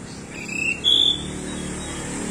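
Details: Singing pied bushchat from Nusa Tenggara, noted as very vocal with a song full of borrowed phrases: two brief thin whistles, the second higher and louder, against a steady droning background hum.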